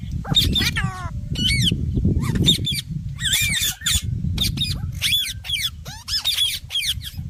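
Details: Ringneck parrot, rose-ringed parakeet that talks, producing varied voice-like syllables: sliding whistles, harsh squawks and rising tonal notes in quick succession, with a steady low rumble behind.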